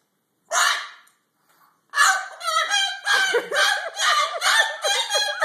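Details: A Moluccan cockatoo "cursing" angrily: one harsh squawk, a pause, then a rapid string of rough, raspy, speech-like syllables like swear words, about two per second.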